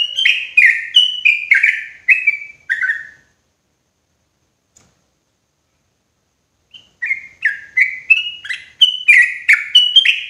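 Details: Loud yellow-vented bulbul lure call for catching bulbuls in forest: a three-second volley of rich, chattering slurred notes, several seconds of silence, then the rapid bubbling series starts again.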